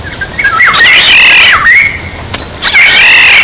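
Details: Black-naped oriole song for decoying: swooping mellow whistles alternating with longer nasal, slightly wavering notes, three phrases in quick succession above a constant shrill drone.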